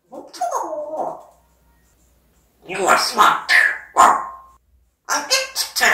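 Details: An African grey parrot talks in speech-like phrases: a wavering, voice-like utterance, a pause, then several loud, clipped, syllable-like bursts, one with a brief sustained tone, followed by a final run of quick sounds.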